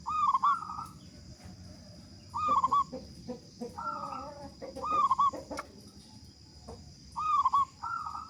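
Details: Loud-voiced local zebra dove singing actively, used as a lure to make other doves sing fast: rolling warbled coo phrases recurring every few seconds, with softer coos and faint clicks between them.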